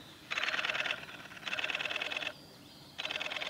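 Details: A male Japanese robin sings at Yanagisawa Pass on 25 April 2021: loud, rapid rattling trills in bursts under a second long, three in quick succession, against a quiet background.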